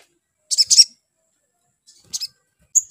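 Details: Lure sound for rousing a spiderhunter into song: a quick pair of high, buzzy chirps, then a fainter pair after a pause, and one thin whistled note at the end.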